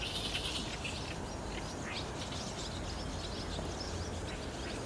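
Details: Barn swallows entering a roost under overcast skies on 30 June 2019, DSLR recording; scattered short upward chirps and a thinner twittering chorus over steady low-pitched noise.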